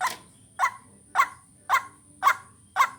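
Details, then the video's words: Lure call of the white-breasted waterhen, six sharp grating notes evenly repeated about every half second, with a persistent high whine in the background. "Ruak Ruak pikat latihan vocal"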